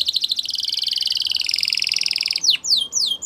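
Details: Spanish Timbrado canary singing a long steady rattling trill, then three quick descending sweeps.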